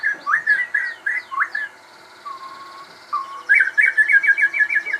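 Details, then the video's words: Crossbred captive shama delivers quick chattering phrases, a pair of flat whistles, then a fast repeated run, with other high twitters in the background. "burung murai gacor hasil kawin silang"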